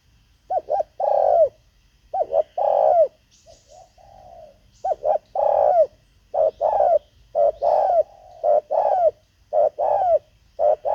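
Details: Spotted dove kept as a decoy to lure wild doves, giving a long series of low, mellow cooing phrases, each a short note followed by a drawn-out hollow coo, repeated roughly every second with brief pauses and faint softer notes between.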